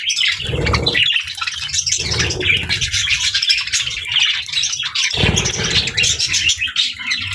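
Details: Budgerigars kept with lovebirds chirp while playing and eating together: a dense, continuous chatter of high twittering notes. Three short bursts of low thumping or rustling break in near the start and end.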